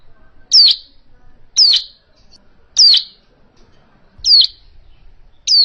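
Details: Hill prinia call, used as a trapping lure: a series of five identical sharp whistled notes, each sliding steeply downward, repeated roughly every second with short silent gaps.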